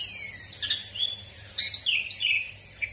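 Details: Asian pied starling (Gracupica contra) song used to prompt other birds to sing: short slurred whistles and chirps in quick succession, over a steady high insect-like hiss.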